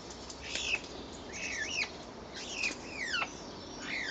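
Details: Two common starlings interacting on April 10th 2011, perhaps fighting or mating, give a run of sharp, downward-sliding whistled chirps, about one every half second, with squeaky, overlapping notes.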